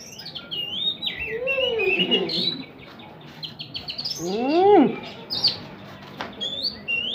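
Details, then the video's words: Oriental magpie-robin singing with a kapas tembak filling in its song: bright whistled notes and quick warbled runs, high chirps near the end, and broad sliding wail-like sweeps mid-clip over a low background hum. "Kacer Isian Kapas Tembak"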